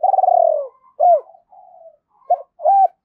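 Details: Spotted dove calling continuously to draw wild doves closer: a long rolling, quavering coo that slides downward, followed by shorter hooked coo notes and soft murmurs, clean and close with no other sounds.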